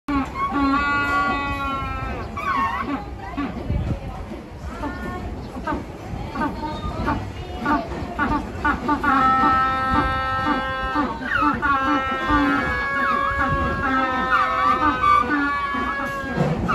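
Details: Several penguins at Suma Aqualife/Suma Aquarium bray together in a loud, overlapping chorus of harsh, harmonic honks, with people chattering behind.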